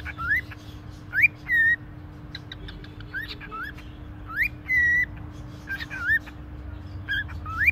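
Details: A pet-shop cockatiel (Nymphicus hollandicus) in Konya talks, giving short whistled notes that swoop upward or hold steady in scattered bursts, over a steady electrical hum and low background rumble.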